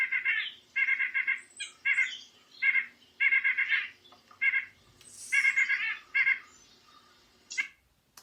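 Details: White-breasted Nuthatch in winter at Sutton, Québec, gives nasal, tinny calls in quick bursts, about eight runs in eight seconds, with a faint low hum underneath.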